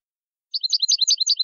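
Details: European goldfinch singing a rapid, continuous twittering phrase of repeated liquid notes, bright and high, on a clean background from a clean-song training recording.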